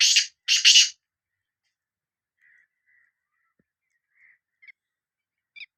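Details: Sindhi black francolin call: three scratchy, harsh notes in a rapid group at the start, followed by near silence with a few very faint chirps.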